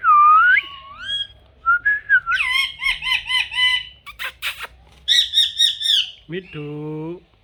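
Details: A talking pet parrot produces loud, clear, speech-like syllables, rising whistled slurs and a rapid run of harmonic chattering notes, then a few nasal drawn-out sounds near the end, all close to the microphone indoors.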